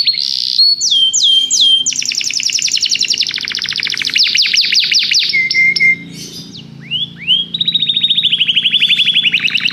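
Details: Belgian canary in continuous varied song: upslurred whistles, long fast trills of sweeping notes, and brief pure whistled tones, over a faint low background hum.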